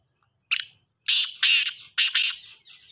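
A black francolin gives a short note, then three harsh, grating, rasping bursts in quick succession, about half a second apart, against a quiet background.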